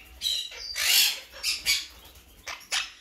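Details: Harsh, grating calls from a blue mutation monk parakeet: a long noisy squawk near one second followed by several shorter rasping notes at irregular intervals.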